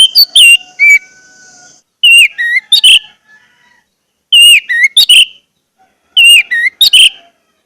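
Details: Orange-headed thrush singing, used to stimulate caged birds to sing. Repeated phrases of sharp, swooping whistles arrive roughly every two seconds, loud and clear against a quiet background.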